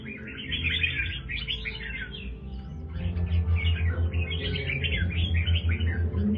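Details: Kept red-whiskered bulbul of the 'Do Thái' line gives rapid chattering song of bright chirped notes in bursts with brief pauses, louder in the second half, over continuous background music.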